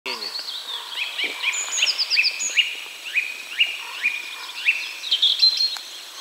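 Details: Song thrush singing at 53.351272, 22.597665 (Poland), a bright, clear note repeated rapidly, about twice a second, with higher twittering from other birds behind.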